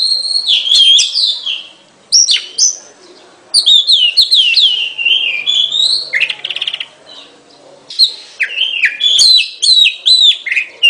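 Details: Oriental magpie-robin pouring out varied whistled phrases, quick twittering and a buzzy trill, with pauses between bursts over several seconds.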